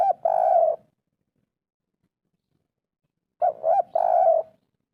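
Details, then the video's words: Spotted dove in the 'kuk 3' style of a local wild bird, aimed at making silent birds call. Two short bursts of soft coos with a long pause between them. "masteran derkuku tekukur kuk 3 atasi burung malas bunyi langsung nyaut"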